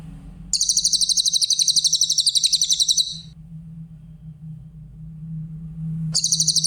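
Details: Grey-headed canary-flycatcher, clear-voiced master for training songbirds, delivers a long high trill of rapid pulsed notes for about two and a half seconds, then after a quiet gap starts another trill; a low hum runs throughout.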